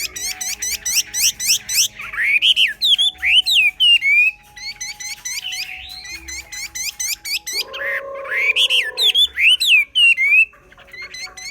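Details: Chinese hwamei singing in the xòe style: rapid runs of sharp, repeated descending chips interleaved with loud, slurred, rising and falling whistles, a short pause near four seconds, and a brief low humming tone late in the phrase.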